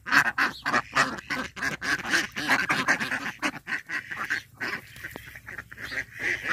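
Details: Indian Runner ducks at a backyard pond in a rural setting, quacking loudly and rapidly. Harsh nasal calls overlap in an irregular chorus, several birds calling at once with hardly a pause.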